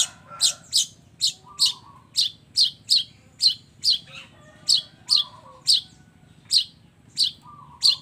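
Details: Long-tailed shrike in full song, mixing fill-in phrases from other birds: rasping, high chip notes repeated about twice a second, with occasional soft, lower whistled phrases between them.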